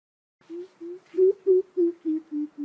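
A young greater coucal gives a run of eight deep, hollow hoots, about four a second, dropping slightly in pitch toward the end, with nothing else audible.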